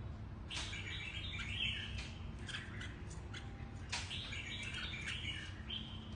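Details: Mutant platinum-patched red-whiskered bulbul singing two short bursts of bright, warbling chirped phrases, separated by a pause, over a steady low rumble of background noise.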